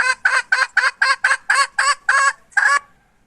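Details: Hen recorded in 2021 giving a brisk series of about ten raspy, nasal clucks at a steady quick pace, the last two notes longer, then silence.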